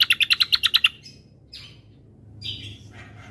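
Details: Provocation combo of bird calls: a fast burst of eight loud, evenly spaced chirps, then softer slurred whistles and a buzzy note.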